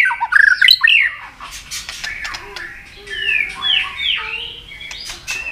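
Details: White-rumped shama, fired up and singing in a contest with many varied forest-style phrases: a few bright whistled notes slurring up and down early on, then softer rising and falling whistles over faint background chatter.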